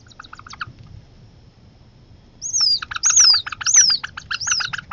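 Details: Young Northern harriers at a family feeding as the mother delivers food; after quiet ticking, four loud high whistles, each sliding downward, come roughly every 0.7 seconds over rapid clicky chatter.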